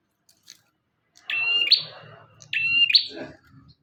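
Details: Bar-winged prinia singing actively, a recording meant for tutoring other songbirds: two loud phrases, each a steady high whistle jumping to a brighter buzzy burst, about a second apart, with faint low rustling beneath.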